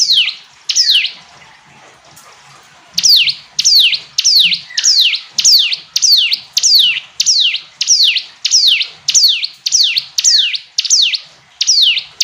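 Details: Hill prinia singing clearly: a short pause, then a steady series of sharp, high downslurred notes, each sweeping from high to lower pitch, repeated about every 0.6 seconds with no other sounds.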